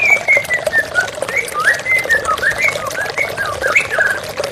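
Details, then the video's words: Running water flows steadily beneath a white-rumped shama's song: clear, sweet whistled notes that slur up and down, delivered in quick succession with brief gaps between them. "TERAPI MURAI BATU Stres Macet Langsung pulih _ Terapi Murai Dengan Suara Air Mengalir"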